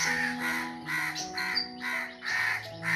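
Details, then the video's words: Harsh caws from a crow perched in a tree, five loud rasping notes in quick succession, accompanied by background music. "সো দেখতে পাচ্ছেন কাক গাছের উপর কাকা করতেছে।"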